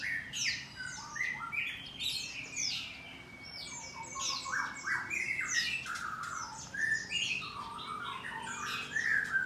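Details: A white-rumped shama in its aviary at a breeding farm in Bogor sings in the morning: continuous cascade of sharp, downslurred whistles and buzzy notes, with one long level whistle in the middle.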